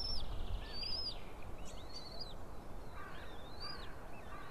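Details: White-tailed eagle nest in Estonia, 20 April 2016 around 7:38 morning, female feeding three small chicks: a few thin, high, arched peeps at irregular intervals over a steady low rumble of wind.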